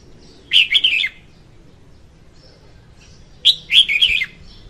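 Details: Female red-whiskered bulbul singing, recorded in 2021 for use as a lure when trapping birds; two short, rich warbled phrases about half a second long, roughly three seconds apart, with faint thin notes between and a low steady hum behind.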